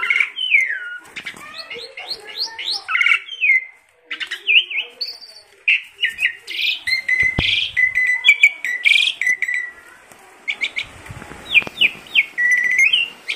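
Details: Tame Asian pied starling, a chatty bird recorded as master lure material for training songbirds, pours out a long, dense run of squawks, chattering notes and looping whistles with few pauses.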